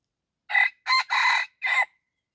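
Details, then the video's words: Decoy lure for wild red junglefowl: one brisk crow in four bursts, a short opening note, a quick second, a sustained third and a clipped ending, set against near silence. "ต่อไก่ป่า ຕໍ່ໄກ່ປ່າຫມານອີກແລ້ວແຮກໄກ່ໃຫມ່"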